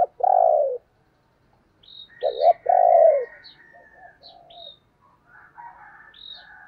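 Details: Decoy spotted dove gives loud, low coos: a rough rolling note, a brief gap, then a double note and a longer falling coo. Quieter twittering and high chirps from other birds continue behind.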